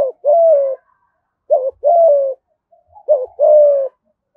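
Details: Spotted dove from Dong Nai, Vietnam, calling in the thúc gù style with a giọng thổ voice: three low cooing phrases, each a short wavering note followed by a longer steady, slightly falling coo, spaced about every one and a half seconds.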